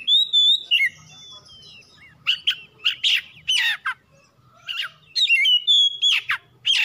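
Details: Oriental magpie-robin lure song to spur other birds to sing: a high whistled opening, then harsh rasping bursts alternating with bright slurred whistles, over a soft low background hum.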